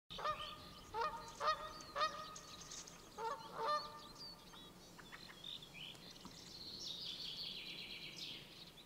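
Canada geese give loud, nasal honks in uneven bursts, about one every second or two, then fall quiet as a steady hiss of water or wind rises.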